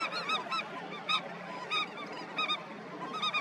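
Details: Indian skimmers at a breeding colony: short nasal yapping notes with rich harmonics, given in loose bursts by several birds, the notes overlapping at times over a steady murmur.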